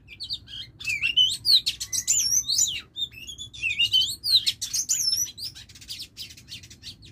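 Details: Lure female Oriental magpie-robin uttering dense, varied high chirps, whistles and scratchy notes in two long busy bursts separated by a short pause, over a faint low background hum.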